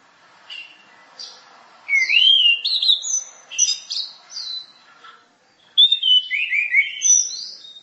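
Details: Orange-headed thrush (anis merah) in one of its varied 'masteran' songs: quick bright whistled phrases with rising and falling slurs, several bursts separated by short pauses, a longer run of descending notes near the end.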